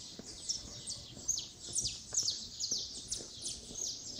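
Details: Saffron finches greeting the dawn in Resplendor, Minas Gerais, Brazil: many high, sharp descending chirps in a busy overlapping chorus, about two or three per second, with faint low rural background noise.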